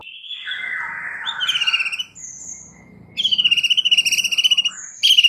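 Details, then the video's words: White-rumped shama song: a rich, varied phrase of clear descending whistles, then fast rattling trills and thin, high whistled notes, with no other sounds. "MASTERAN untuk Murai Batu Stress , dijmain langsung SEMBUH plus GACOR seketika"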